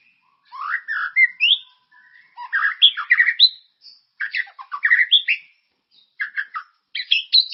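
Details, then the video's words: White-rumped shama, bait song for stimulating caged birds to sing, called loud and full of character: varied short phrases of chirps, harsh squawky notes and slurred whistles, broken by brief pauses. "Suara pancingan burung murai ❗gacor dan berkarakter"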